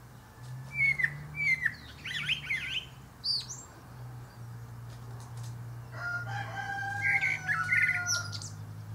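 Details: Male Common Blackbird (Turdus merula) atop a pear tree gives quick fluted and squeaky notes, then a long drawn, harmonic crow-like sound fills the later seconds, with a persistent low drone behind.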